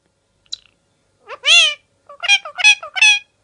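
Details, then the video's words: A pet parrot enjoying time out of its cage gives a faint chirp, then a drawn-out harmonic squawk that rises and falls, followed by three short nasal calls in quick succession. "Here the Sound of Rio Parrot"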